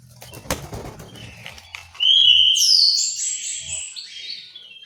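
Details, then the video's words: Orange-headed thrush in an aviary in Malang, East Java, Indonesia: a few wing flaps and soft notes, then a loud, sweet warbled phrase of gliding whistles and twittering that fades over two seconds. "suara burung anis merah"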